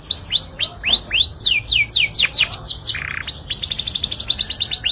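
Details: Canary singing to excite females for mating: loud series of clear whistled notes that sweep sharply down, repeated about twice a second, then a short buzzy burst and a fast, even trill of rapid high notes ending in more downswept whistles.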